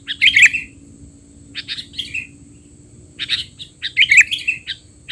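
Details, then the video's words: Sooty-headed bulbul in 'teler' style, a noisy tutoring sound for young bulbuls: loud scratchy chirp bursts at the start, then quieter notes and a second dense burst near the end, over a faint hum. "burung kutilang teler!! suara ribut paling cocok untuk kutilang bahan"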